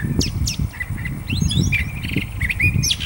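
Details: Curve-billed Thrasher song with quick whistled and trilled phrases and sharp rising notes, partly covered by heavy low rumbling and thumping noise throughout.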